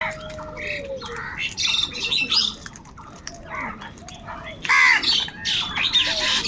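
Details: Crows fighting for food: overlapping harsh, hoarse squawks and raspy bursts from several birds, loudest around the middle and near the end, with softer chirps and scratchy calls filling the gaps.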